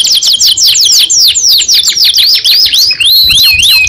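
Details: {'text': 'Canary singing: fast runs of high, downward-sweeping chirps repeated several times a second, then slower, looping whistled notes near the end; loud and close, with no other sounds.'}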